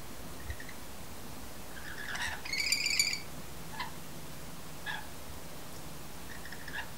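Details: Rainbow lorikeet mating pair regurgitating food to bond on a window sill shortly before sunset, giving a rough grating screech midway, followed by spaced short scratchy chips roughly once a second.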